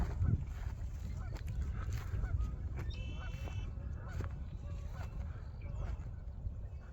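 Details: Geese honk in a scattered, overlapping chorus at wetland ponds in South Park Wildlife Habitat Management Area, Jackson Hole, Wyoming, on the first day after winter closures lifted, with other marsh birds calling sharply, wind rumbling, and a person speaking.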